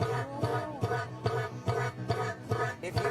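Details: Rhythmic music with a steady percussive beat about twice a second over sustained low tones; no animal voice is present.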